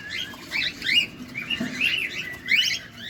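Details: Chirps from cockatiels feeding at close range overlap in wavering, upward-sliding notes, with three louder bursts spread across the moment.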